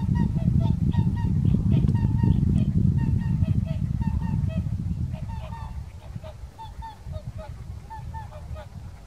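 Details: Several whooper swans, dancing and calling at Kuligów, Poland, on 16 February 2018, trade loud trumpeting honks about four a second over a heavy low wind rumble that eases after six seconds.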